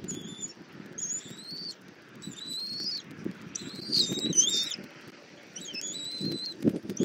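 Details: Bald eagle nest in Southwest Florida, morning camera recording as the mother feeds the eaglet armadillo: a series of high whistled phrases about a second apart, some flat, some bending and quavering, over low scuffling sounds.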